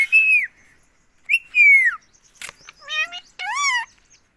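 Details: Green pet ringneck parrot from India repeating "mummy": two loud, clear whistled syllables sliding downward, followed by short nasal, speech-like syllables with a bending tone.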